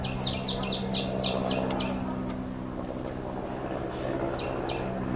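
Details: A female Asian koel, apparently at Mount Lavinia, Sri Lanka, gives a rapid, shrill series of sharp, falling 'kik' notes, about four a second, then a brief burst again, over a steady engine hum.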